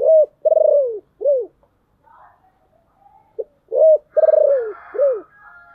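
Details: Spotted dove decoy bird calling to lure wild doves, a deep, hoarse voice: loud low coos in two phrases, each a short note, a long drawn coo sliding downward, then a short arched note, with faint higher chatter between.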